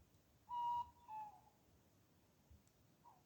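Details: Wild Tawny Owl hooting at night in temperate deciduous UK woodland: one steady, hollow whistled hoot lasting about a third of a second, then a shorter falling note and a faint distant third note, over a quiet background.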